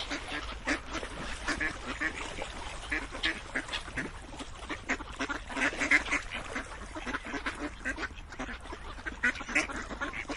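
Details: Ducks chattering with clipped nasal quacks in uneven clusters, brief louder calls rising above a softer ongoing murmur of the flock.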